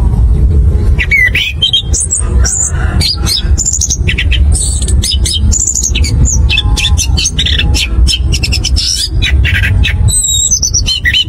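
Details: Long ngerol ngeplong lure song of the orange-headed thrush, also called punglor kembang or anis cacing: dense run of sharp, varied whistles and chirps jumping between pitches, some sweeping upward, with a persistent low rumbling background throughout.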